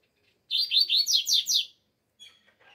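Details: In still-cold weather, a double-collared seedeater delivers a rapid run of about six high, sliding notes, each dropping in pitch, with faint chips afterward.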